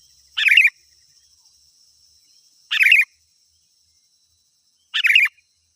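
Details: Sooty-headed bulbul sounds meant to lure wild birds: three short bubbly chattering phrases, each about a third of a second, spaced roughly two seconds apart over silence.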